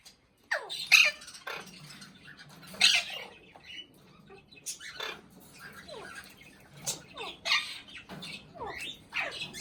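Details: Indian ringneck parakeet, a pet said to be talking, gives sharp, scattered squawks and descending chirps spread over the clip, with quiet gaps and faint low background hum between the bursts.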